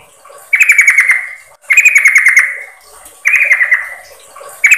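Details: A female yellow-vented bulbul calls for the male in this lure sound, giving three bright chattering bursts that tumble downward in pitch, each about a second long, with short gaps.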